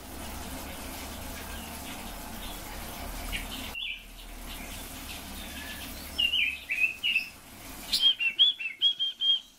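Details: Red-billed leiothrix (Leiothrix lutea) song: quick, warbled phrases of bright, slurred notes after a burst of rushing noise.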